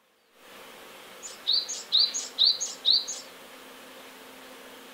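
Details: Great tit singing near a nest box while trying to drive sparrows out of its territory by the nest; four quick two-note phrases, each a high sharp note and then a lower, slurred one, over a steady low hum.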